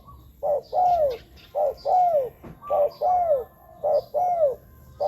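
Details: Spotted dove calls for luring wild doves: rhythmic pairs of a short coo and a longer falling, arched coo, about one pair per second, with a faint tap in the background.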